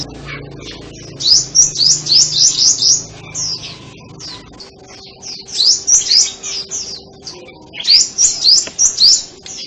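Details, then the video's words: Sunbird song: rapid bursts of high, thin, sharply rising and falling twittering notes, about four per second, in phrases separated by short pauses, over a faint low hum. "Tiếng chim hút mật"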